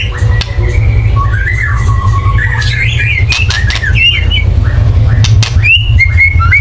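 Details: Excited white-rumped shama calling to provoke song: sliding whistled phrases and short chirps with a few sharp clicks, over a strong steady low hum.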